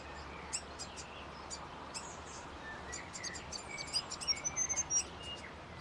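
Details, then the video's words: Grey fantail song: a run of thin, high squeaky chirps and tinkling notes, sparse at first, then quickening into a brisk, uneven burst near the end over steady background hiss. "the story of grey fantails bird"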